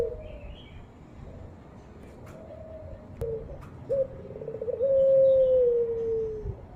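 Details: Java puter (ringed turtle dove, pelung type) from a bird-hobby setting: soft murmuring at first, then a few clicks, a brief rising note and a long level coo sliding slightly downward near the end.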